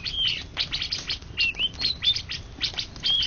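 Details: Champion greater green leafbird from an Indonesian contest in 2013–2014 gives rapid chirps mixed with short bright whistles, some curving downward and others rising, in quick bursts about every half second.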